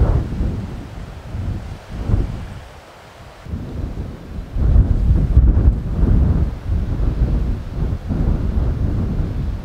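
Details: Deep rumbling thunder and gusting wind fill the recording, with rain-like low noise and microphone buffeting and no animal calls.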